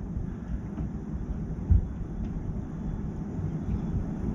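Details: Low rumbling wind or engine noise fills the recording with no animal voice.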